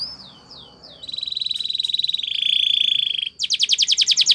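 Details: Training song of a Belgian canary: soft falling whistles, then a long rolling buzzy trill that gradually lowers in pitch, then a loud rapid staccato trill.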